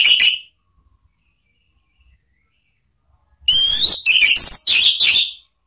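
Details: Orange-headed thrush lure song for cage-bird training, described as "ngeplong" and "ngeriwik". A short whistle opens, then after a pause comes a rich phrase of upward-sweeping whistles and rapid, trilled chirps.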